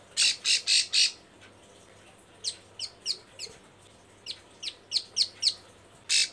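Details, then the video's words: Breeding female bar-winged prinia calling for males, giving three loud rasping buzzy notes, then a scattered series of thin, quick downslurred chirps, and a final harsh buzz; steady low background hum. "Burung Ciblek sawah Betina birahi gacor panggil jantan"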